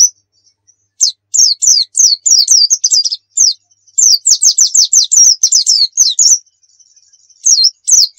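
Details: Javan white-eye (dakun, Pacitan) in rapid tutoring song: after a lone chirp, bursts of quick, high downslurred notes, about three per second, pause briefly, then resume and end with two chirps.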